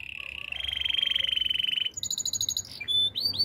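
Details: Singing canary holds a long rolling trill, then switches to high rapid clicks and pure whistles, finishing with sharp upward-sweeping notes.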